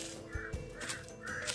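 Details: Many crows calling and flying around an old house, giving harsh, raspy caws in two or three short bursts, described as unusual-sounding, over a steady low hum and faint background music.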